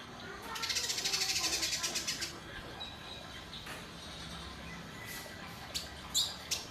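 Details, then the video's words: Indigo bunting singing: a fast, buzzy high trill of rapidly repeated notes lasting about one and a half seconds, followed by quiet background with a few soft clicks. "Burung indigo bernyanyi"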